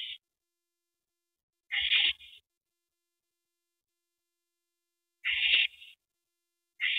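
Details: Owl calling at its nest as a rabbit is brought to its mate on an April 2012 evening. Widely spaced, harsh screeches sound three times, several seconds apart, with silence between.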